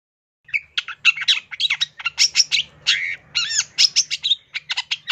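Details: Long-tailed shrike song with rich varied phrases: a dense, nonstop run of scratchy chirps, buzzy trills and high sharp notes packed closely together for over four seconds, steady and loud throughout.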